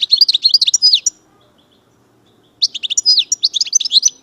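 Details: European goldfinch (chardonneret, Algeria, major type) in full song: two dense bursts of rapid, liquid twittering with high tinkling and slurred notes, separated by a second and a half of silence.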